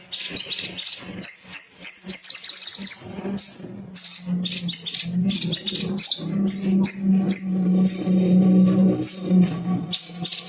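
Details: Male sogon (little spiderhunter) pouring out fast, piercing chit notes in long chattering runs over a steady low hum in the background.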